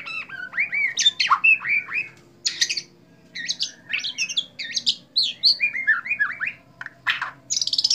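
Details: Indonesian white-rumped shama in bowing display, pouring out rich, rapid phrases of slurred whistles, high ringing notes and scratchy chatters with few gaps.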